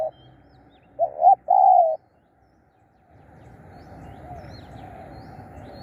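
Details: Decoy spotted dove calling to lure wild birds: one soft coo phrase of two short notes and a long level coo, then silence and a rising hiss of background noise.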